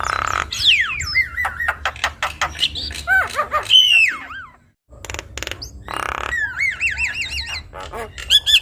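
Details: Energetic Javan myna song rich in varied phrases, a tutor recording for young birds to imitate: descending and looping whistles mixed with harsh clicks and rattles, a brief silence, then repeated wavy whistled notes and squawks.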